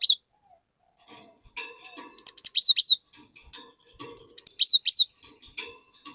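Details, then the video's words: Cinereous tit singing to draw untrained glatik into song; two matching phrases about two seconds apart, each several sharp whistles that rise high then step down in pitch. "Burung Glatik Gacor Memancing Glatik Bahan Agar Ikutan Gacor Ngeplong"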